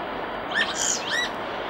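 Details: Common starling beside a nest box giving two clear whistled slurs, the first rising and falling, the second bending upward, with soft noise behind them.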